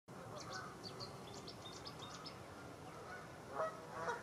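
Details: Canada geese, part of a flock of over 100 grazing in a stubble field in Wiltshire, UK, in October 2019, recorded on a Panasonic Lumix FZ80. Two short honks sound near the end over steady background noise, after a run of thin, high chirps.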